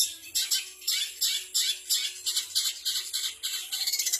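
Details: Harsh, rasping, squawky high notes in rhythmic bursts from a long-tailed shrike copying kapas tembak, canary, fighting sparrow and bar-winged prinia, closing with quick repeated chips.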